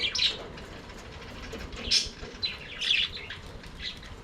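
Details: Aviary budgerigars singing and playing, with sparse scratchy chirps spaced about half a second to a second apart over a soft background hum.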